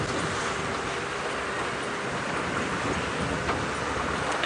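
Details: Steady vehicle engine rumble and broadband road noise fill the recording, with no animal calls.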